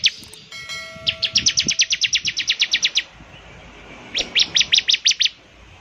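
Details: Lively bar-winged prinia song: a fast run of about fifteen sharp high chips, a short gap, then a second burst of about seven, with a brief thin whistle at the start.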